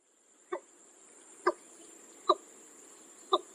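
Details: Watercock (Gallicrex cinerea), breeding male giving liquid gulps likened to a water bottle emptying: four hollow, resonant plops spaced about one second apart, over a steady high hiss of insects.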